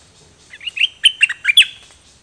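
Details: Dok Taeng birds in a 2020 recording meant for teaching young birds: a quick series of six or seven slurred chirps that grows louder toward the end.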